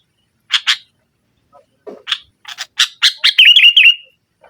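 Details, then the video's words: Sooty-headed bulbul giving forceful nggaruda song to provoke silent rivals. Two bright chirps, a soft low note, then a rapid series of short notes rising into a tumbling, liquid warble. "Suara Burung Kutilang Gacor Menekan Lawan NGGARUDA, Pancingan Kutilang Mogok"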